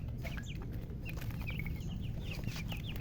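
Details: Coloured chickens alongside a murgi hen, chirping: a steady run of short, high, sliding peeps in quick succession over a constant low rumbling background noise.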